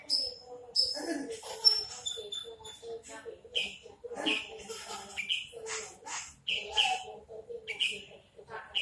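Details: Caged Horsfield's bush lark, a big-bodied crested bird, singing a varied run of short whistled and buzzy notes around mid to high pitch, with lower warbled phrases between them and soft background noise.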